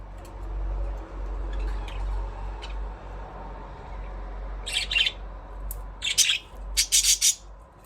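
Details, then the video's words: Budgerigar chirping: a quiet opening with low background rumble, then a burst of sharp, buzzy high chirps in the last three seconds, several rapid notes in quick succession. "Budgies parrot chirping sound"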